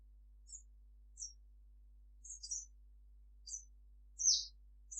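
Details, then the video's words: Sunbird singing at midday with thin, very high, sharp chirps given singly or in quick pairs about once a second, a slightly louder buzzy note near the end, against an otherwise quiet background. "Kicau sunbird Sogon gacor cruit cruit siang hari"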